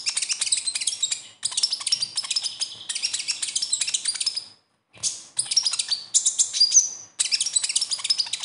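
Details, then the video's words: Sunbird song meant as a lure to get other sunbirds singing: rapid, high, thin twittering chirps in dense bursts of about a second and a half, separated by brief pauses. "SUARA KHAS KONIN"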